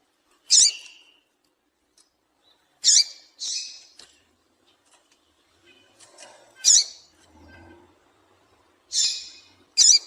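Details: Calls of a female double-collared seedeater, meant to get males singing: short harsh chips scattered across ten seconds, some single and some paired, with faint low murmuring between them.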